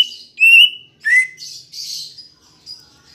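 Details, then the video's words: Green leafbird song played as a lure to get kept birds singing: loud clear whistled notes, one slightly rising, followed by softer buzzy chattering phrases. "Pancingan Cucak Ijo Biar Bunyi dan Cepat Gacor"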